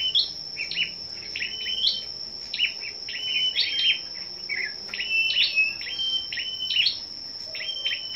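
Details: Several scarlet-backed flowerpeckers gathered for morning competitive singing on 10 May give quick, thin, high chips and short sliding trills in bursts about every second, over a steady high-pitched whine.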